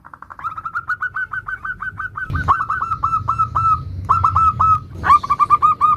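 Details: Zebra dove of a local type giving the nutut song variation, used as a lure to set off other zebra doves: a fast run of clipped, even cooing notes, then slower trilled phrases over low background rumble.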